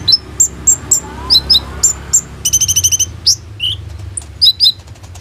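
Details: Phone recording of a captive Van Hasselt's sunbird singing to lure others: spaced piercing high chips, then a quick metallic rattle, a lower downslurred whistle and paired high squeaks, with a faint low hum beneath.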